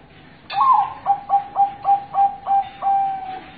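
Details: Local zebra dove song played as a lure: an opening warbled note, then a rapid run of seven or eight clipped, even-pitched coos about every quarter second, ending in a drawn-out level note.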